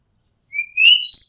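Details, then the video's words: Oriental magpie-robin singing from near a home rooftop: a thin whistle climbing slowly in pitch, breaking into a brighter, louder rising note that ends high and sustained. "Oriental Magpie Robin Sound Long play | เสียงร้องนกกางเขนบ้าน"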